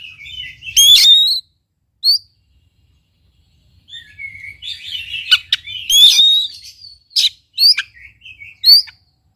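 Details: Oriental magpie-robin singing, played to coax a reluctant bird into song: loud bursts of sharp chirps and slurred whistles, a brief pause, then a rapid run of varied high notes and short downward-slurred calls.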